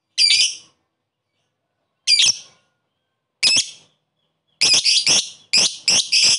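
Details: A lovebird gives koek calls toward a rival to stir up other lovebirds. Harsh, shrill, buzzy squawks are spaced over a second apart, then a tighter trio of screeches closes.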